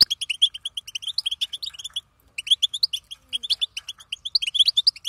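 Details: A female European goldfinch chatters in the batbata style: fast, high, tinkling notes strung together, broken by a clear pause of about half a second midway before the twittering resumes.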